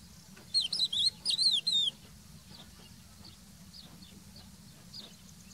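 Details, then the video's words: Crested lark (Galerida cristata) singing its trii-lii-piyoo phrase. A single short run of bright, high whistled notes, rapid and wavering, lasts about a second and a half before quiet, faint background hum. "Tepeli Toygar Ötüşü"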